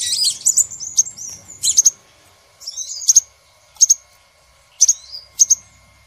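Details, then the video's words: Crimson sunbird trapping lure: a brief high twitter, then paired sharp, very high chips repeated roughly every second with quiet gaps between. "Suara Pikat Burung sepah Raja"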